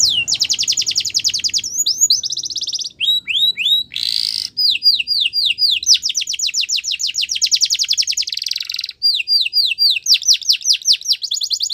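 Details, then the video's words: Long canary song of varied tours: buzzy trills, sweeping upslurs, a harsh burst, quick descending notes repeated rapidly and dense rattling rolls, sung almost without a break. "The Most Beautiful Canary Singing"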